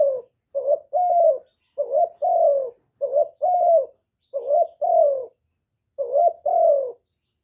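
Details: Decoy spotted dove giving calling and cooing phrases to spur other doves into calling. About six paired coos, a quick wavering note leading into a longer, gently falling tone, evenly spaced in quiet surroundings.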